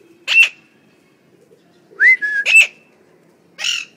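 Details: Talking parrots at home utter sharp harsh squawks separated by silence, with one rising slurred whistle that levels off into a steady tone.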